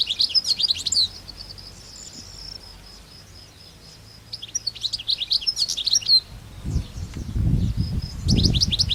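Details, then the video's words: Goldfinches singing in the wild, giving repeated bursts of bright, high twittering and rolling trills. Soft low thumping and rustling noises grow louder toward the end. "طيور الحسون في الطبيعة"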